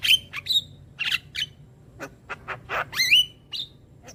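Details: Young Javan myna, used as a tutor recording to train young birds, gives a jumble of short squawks, harsh buzzy bursts and sharp whistled upslurs, with silent gaps between notes.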